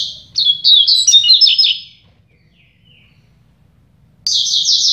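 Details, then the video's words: Two double-collared seedeaters in a singing contest: a quick, bright warbled phrase of slurred high notes, a pause, then a buzzy, rapid trill starts abruptly as the rival answers. "DISPUTA DE COLEIRO"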